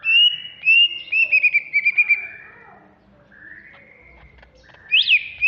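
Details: Loud agitated ngentrok song from a Banyuwangi greater green leafbird: clear whistles and a fast stuttering trill, a quieter warbled middle, and a final steep rising-falling note.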